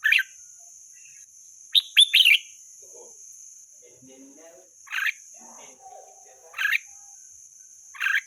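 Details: Wild red-whiskered bulbul singing short, clear, warbling phrases: one at the start, a quick triple burst near two seconds, then three evenly spaced phrases; faint lower chatter and a continuous high-pitched drone in the background.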